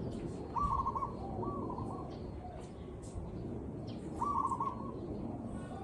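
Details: Zebra dove giving a real recorded song: short, rolling cooing trills at a low-mid pitch, three phrases about a second long with pauses between, over a steady murmur of background noise.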